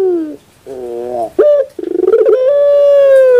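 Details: Collared dove song: a low falling note, a wavering lower phrase, a short sharp note, then quick stuttering pulses rolling into a sustained, steady, hollow coo.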